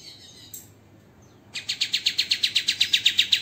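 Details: White-rumped shama master recording for training songbirds, with close, rough 'tembakan' bursts. After a quiet opening with a faint note, a fast, regular volley of buzzy, high notes starts, about four each second.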